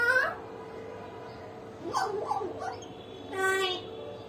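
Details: A pet common hill myna gives speech-like talk and laugh sounds: a loud burst at the start, then brief chattering syllables and a final drawn harmonic phrase over a constant hum.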